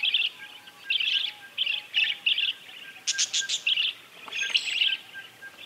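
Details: Calls of an Azure kingfisher in the wild: rough, buzzy bursts repeated about every half second, with a louder, sharper cluster midway and a faint background hum.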